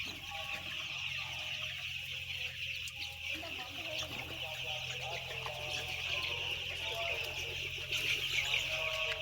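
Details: Mass of some ten thousand white chicks calling, rapid shrill peeps overlapping into a continuous high chorus that swells slightly toward the end, low hum beneath.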